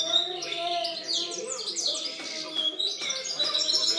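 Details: Recorded in 2013, a European goldfinch sings a quick chatter of high chirps and downward-slurred whistles, liquid and continuous, with brief dips between phrases.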